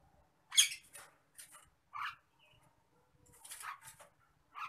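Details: Agitated Nias hill myna: loud hoarse shrieks alternating with brief whistled notes and quieter chattering, delivered in irregular bursts with short pauses.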